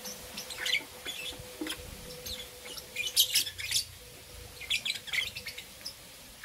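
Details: Two green opaline lovebirds chirp in the morning, sharp high notes in rapid bunches of three to six, pausing between bursts, with a faint steady tone underneath.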